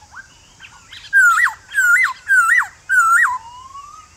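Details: Male white-cheeked laughingthrush (Garrulax vassali) sings a wild-type song in the morning to call other birds. Four loud, rich whistled phrases, each a level note then a quick up-down flourish, come about every half second over a faint hiss.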